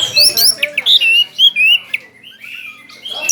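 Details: Orange-headed thrush, a kept contest bird singing at great volume while spreading its tail: rapid, varied high whistles and sharp slurred notes in quick bursts, then fainter notes after a short pause.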